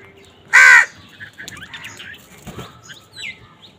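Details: A crow squabbling for food lets out one short harsh caw near the start, loud and raspy, followed by faint chirps from small birds and soft clicks.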